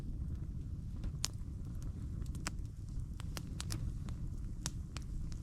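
Crunching footsteps on a forest trail crackle over a low rumble of outdoor noise, with no birdsong audible.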